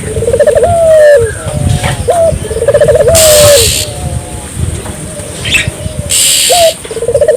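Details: A Barbary dove calling persistently to encourage local doves to answer. Repeated phrases of a pulsing bubbling roll running into a long level coo, with short single notes between. Bursts of hissing noise and faint high chirps behind.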